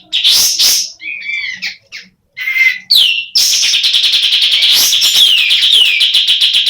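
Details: Female sooty-headed bulbul, semi in breeding condition, starts with scattered short sharp notes and squeaks, then breaks into a long steady stream of rapid buzzy chattering.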